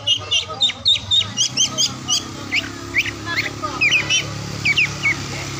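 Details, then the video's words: Oriental magpie-robin song from morning to afternoon, intended to stimulate quiet or lazy birds: quick repeated chirps and whistled notes, fading into scattered sharp calls amid a noticeable background hiss and low hum. "KICAUAN KACER DI PAGI SIANG SORE HARI"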